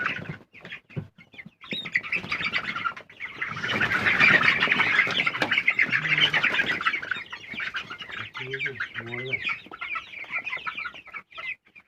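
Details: Coloured broiler chickens chirping together: a dense, continuous wash of high peeping calls that swells in the middle, with a few deeper clucks and some voices mixed in.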